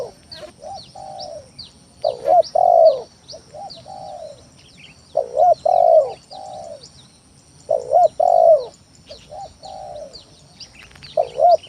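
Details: Rival-provoking lure song of a spotted dove, repeated roughly every three seconds: soft short coos and a gliding falling note, then a loud two-part coo with a long downward tail. Constant high chirping from other small birds.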